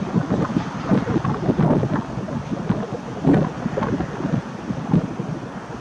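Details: Loud gusting wind buffets the microphone in repeated low rumbling bursts, with no animal calls.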